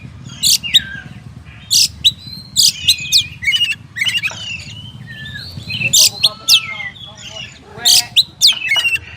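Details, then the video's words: Kacer, a black long-tailed bird known as oriental magpie-robin, mixing harsh scratchy bursts with downslurred whistles and buzzy trills in uneven phrases over faint low background noise. "SUARA BURUNG KACER"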